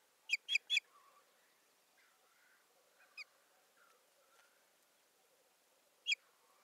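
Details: Osprey calling at a Finnish nest in Satakunta, 7 May 2019, during stick delivery and nest tending; three quick shrill whistles open, followed by one faint note and a single sharp whistle near the end.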